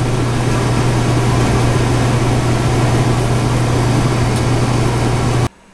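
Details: A loud, steady idling engine drones with a strong low hum, then cuts off abruptly near the end, and no animal is heard.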